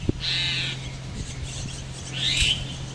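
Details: Baby Chestnut-tailed starlings in a tree hollow: two loud, harsh, hissing rasps about two seconds apart, each under half a second, with a low steady hum and a sharp knock at the start.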